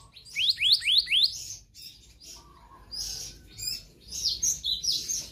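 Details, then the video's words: Black-naped monarch singing in a lively, nonstop variety style, used by bird keepers to prompt and tutor other birds: a quick series of four sharp rising whistled notes, then scattered high chirps and buzzy trills, with faint low background hum. "Kehicap Ranting Gacor Konslet Full Fariasi"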